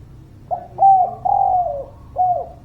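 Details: Spotted dove song meant to lure reluctant birds into singing: one phrase of soft, low coos, a brief note, a drawn-out falling coo and a closing falling note, over a quiet background.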